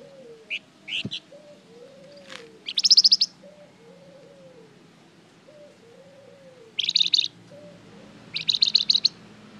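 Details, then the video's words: Flamboyan singing as a lure recording meant to make other birds respond: short bursts of sharp, buzzy high chirps in clusters, separated by pauses, over a faint low murmur and soft repeated arched notes. "Suara pancingan burung Flamboyan gacor terbaik"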